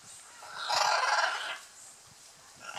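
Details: One broad, grating squawk lasting under a second, from scarlet macaws in a courtship display at Playa Blanca, La Palma, on Costa Rica's Osa Peninsula.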